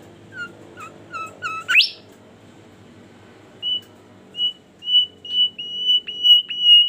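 A bimoli bird sings a quick run of chirped notes ending in a rising sweep, then a string of clear high whistles repeated about twice a second over a low hum.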